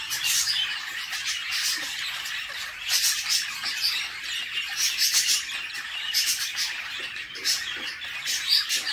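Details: Budgerigar mother feeding her chicks in a nest box; the young give a steady stream of rasping, chirring squawks in pulsing waves, with occasional sharper high notes.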